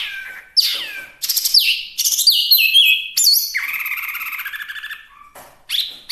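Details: Chinese hwamei singing hard, a sound used for tutoring and luring birds: varied slurred whistled phrases, then a long buzzy lower warble and a short pause before a final bright note.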